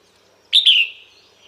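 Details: Female red-whiskered bulbul calling males: a single brief bright whistled call, two quick high notes running into a slightly falling slur, with a faint trailing tone afterward.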